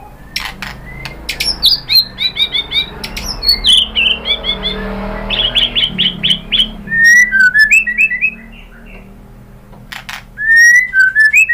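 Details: White-rumped shama singing as a lure to make another bird answer: a rapid series of high chipping whistles, then a gap, then rolling lower warbled phrases, with scattered sharp clicks and low hum.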